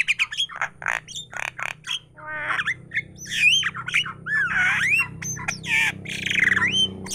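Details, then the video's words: Myna chattering without pause, a busy mix of short harsh clicks and squawks giving way to looping whistled slurs and warbled phrases, with a low steady hum beneath. "Burung jalak ngoceh terus"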